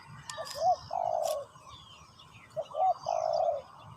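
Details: Spotted dove decoy calling to lure wild doves during ground trapping: two soft cooing phrases, each a brief rising note followed by a longer level coo, with faint distant bird chirps in the background.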